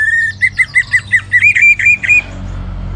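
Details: Orange-headed thrush song aimed at stirring other birds to sing: a brisk series of about ten evenly spaced whistled notes at one steady pitch, rising slightly toward the end before breaking off.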